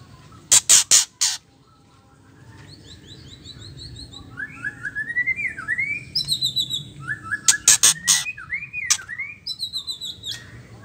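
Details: Female white-rumped shama making the ketrekan call used to make males sing and show their repertoire. Three rasping bursts, then a long series of clear whistled, upslurred notes, interrupted by another trio of harsh rasps.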